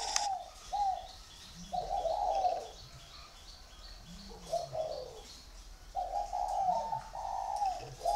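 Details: Spotted doves from a dove garden in Ba Vì district, Vietnam, repeating soft, hollow coo phrases. Fainter, lower coos from another bird answer in the pauses, with faint high chirping behind.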